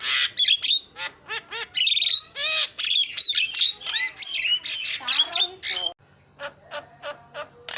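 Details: Fast Javan myna song meant to coax a silent myna: loud, buzzy, squawking syllables with curling whistles in a steady rapid stream, then a softer run of short clicking notes after a brief break.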